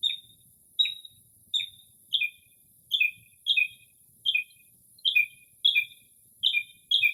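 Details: Nighttime Northern mockingbird in early spring, recorded from a porch in quiet surroundings, imitating other birds: a clear whistled note repeated about every three-quarters of a second, shifting to doubled two-part notes.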